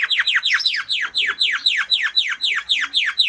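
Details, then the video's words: Timbrado canary singing a fast trill of bright downward-sweeping whistled notes, about four per second, steady and loud throughout. "Canary singing Strong Bird - ذكر كناري تغريد نار"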